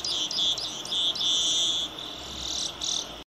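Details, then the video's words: Saffron finch, called misto or canario tipio, giving high chirped notes that stretch into longer held tones, then a softer, thinner phrase before stopping abruptly. "Misto Cantando / Canario Tipio."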